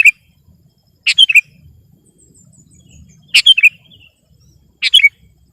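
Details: Sooty-headed bulbul giving a short three-note phrase, a sharp chirp then two falling liquid notes, repeated at irregular gaps of one to two seconds, sung to overpower a rival.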